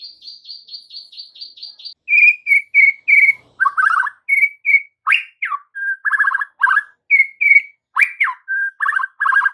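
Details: Afternoon White-rumped shama song used as a lure so young shamas answer: a soft, evenly spaced high note repeated for two seconds, then loud alternating clear whistles, rasping chatters and sharp slurred notes in steady rhythm.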